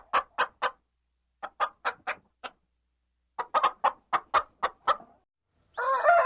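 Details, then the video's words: Chicken clucking in short, sharp, evenly spaced notes grouped in runs of three to eight, separated by silent gaps, ending with a louder, harsher, drawn-out squawk. "CHICKEN SOUNDS - Clucking Sound Effects of Chickens and Hens"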